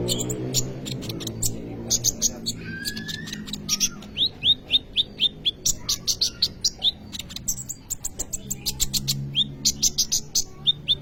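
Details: Kolibri ninja sunbird singing vigorously, for luring or tutoring young birds: fast continuous stream of high sharp chirps and ticks, with runs of repeated down-slurred notes and a brief rising whistle.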